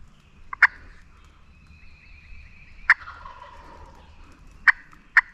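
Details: A wild turkey gobbles off the roost in Virginia national forest public land during spring turkey hunting, four loud, harsh, rattling bursts in about five seconds, over quiet morning woods with a faint low rumble.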